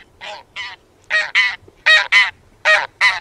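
Taiga bean goose giving loud, nasal, harmonic honks in doubled pairs, about four paired calls in three seconds, with a quiet background.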